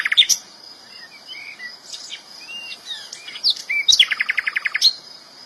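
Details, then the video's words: Flycatcher in the wild giving soft scattered whistles and chirps, then a loud, fast run of about nine evenly repeated sharp notes, with other high twittering around it. "kicauan burung sikatan Londo, gacor di alam"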